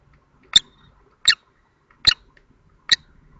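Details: Common kestrels at the Théding nest, 2 May 2024, during a changeover on the eggs while the male, often chatty, incubates; four brief sharp ticking notes spaced under a second apart in quiet surroundings.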